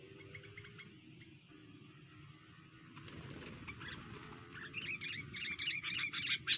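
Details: Sooty-headed bulbul at a clamp-trap bird-catching setup: a low hum fills the first half, then bright, rapid chirping notes build and grow louder over the last two seconds.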